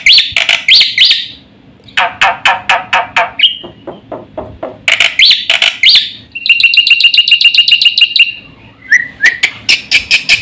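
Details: Fast, energetic black-winged starling song for prompting and tutoring birds: harsh chattering bursts, series of quick rasping notes, a short whistle, a run of high rapid twitters, then further clipped repeated notes.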